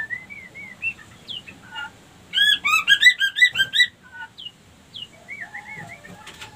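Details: Female white-rumped shama lure call for getting other females into breeding condition: soft looping whistles, a burst of rapid, rich repeated notes for about a second and a half, then more gentle whistled loops.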